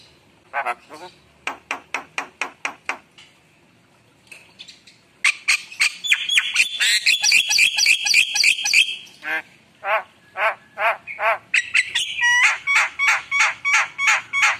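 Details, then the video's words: Javan myna in rich, busy song: quick trains of clicking notes, a long harsh buzzy passage, then rapid rhythmic repeated notes with clear whistles woven through. "Suara Jalak Kebo Gacor Penuh Isian Mewah"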